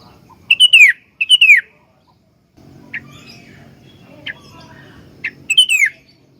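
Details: Sooty-headed bulbul, a tutor bird for training other bulbuls, sings two loud bubbling down-slurred phrases, then a few isolated sharp notes over a low hum, ending with another rich whistled phrase.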